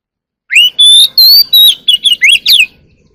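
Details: Oriental magpie-robin (chòe than) singing early in the morning in fighting-song style: loud, clear whistled phrases, first a rising slur, then a long level whistle, then a quick run of varied, sliding notes over about two seconds, with a quiet background.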